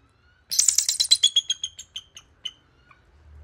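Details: Bald eagle screeching: a rapid, high, chattering run of sharp piping notes that starts loud and dense, then slows and fades into spaced single notes over about two seconds, with a faint low rumble underneath.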